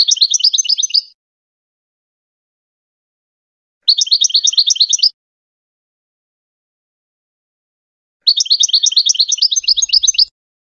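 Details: Goldfinch song intended to teach hybrid chicks: three bursts of a rapid, even, high trilled twitter, each about one to two seconds long, repeated roughly every four seconds, with silence between.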